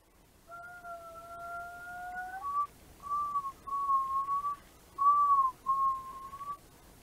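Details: Black-throated loon (Gavia arctica), a species found in Lithuania, gives a long, steady mournful note of about two seconds, then five shorter, slightly higher wavering whistles over four seconds, against a quiet background.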